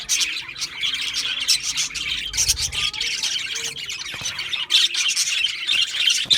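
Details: Pet-style budgie chatter of sharp high chirps and squawks, steady and dense, with a faint low hum underneath.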